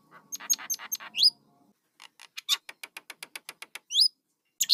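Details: Starling chicks calling: bursts of sharp, high squawks in quick runs, a few upward-swept whistled notes, then a train of evenly spaced short chirps about five per second, with gaps of silence between bouts.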